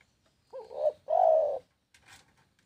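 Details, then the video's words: Spotted dove cooing: a short wavering looped note, then a rising coo and one long, steady, low hooting coo. A faint rustle follows. "SUARA BURUNG TEKUKUR"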